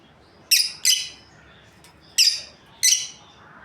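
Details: Breeding pair of lovebirds: a quick double chirp, a pause, then two more single shrill, buzzy chirps, all short and high-pitched.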